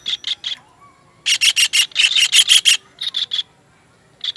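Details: Kingfisher heard as master material for teaching songbirds: short groups of rasping, strident notes, a brisk run of about nine loud buzzy calls in the middle, then smaller clusters of three and one.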